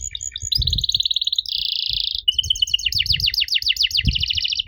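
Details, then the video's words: Canary singing an unusual phrase intended to get young canaries to respond: quick chips, a pulsed trill, a broad buzzing trill, then a run of rapid falling sweeps, with soft low thumps behind. "Pancingan Jitu! Kenari Muda pasti nyaut kalo denger suara aneh kenari ini."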